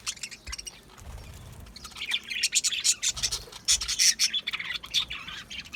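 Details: Budgerigars, small Australian parrots kept in an aviary, chirping in a dense chorus of many birds: quick high warbling notes and squeaky chatter, growing busier and louder after the first second, with faint low rumbling beneath.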